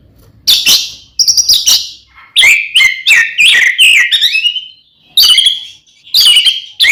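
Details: Fighting song of a kacer, Oriental magpie-robin, intended to provoke others; separate loud bursts of sharp, buzzy notes and rich whistles, with a smooth rising phrase in the middle.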